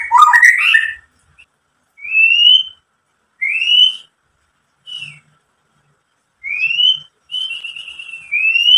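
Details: White-rumped shama song for provoking other shamas: a brief warbled burst, then spaced, clear upslurred whistles repeated every second or so with quiet gaps between.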